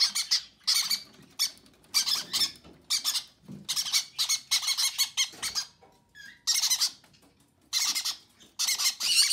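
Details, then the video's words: Conure parents feeding chicks, February 6: repeated clusters of rasping, scratchy squawks and squeaks, fast and pulsing, with short gaps and one faint higher whine midway. "Conure parents feeding baby conures"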